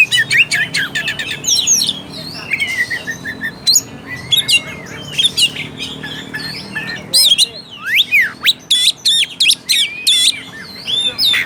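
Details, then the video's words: Oriental magpie-robin singing as a trigger for a lazy, less combative bird: varied warbles and slurred whistles, a quieter middle stretch, then loud clipped notes repeated in quick succession with sweeping whistles. "PANCINGAN AMPUH UNTUK KACER MALAS BUNYI DAN KURANG FIGHTER."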